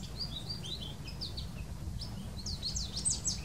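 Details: An American goldfinch in Maryland sings its spring song, a quick, high twittering run of slurred and rising notes, steady throughout, over a low background rumble.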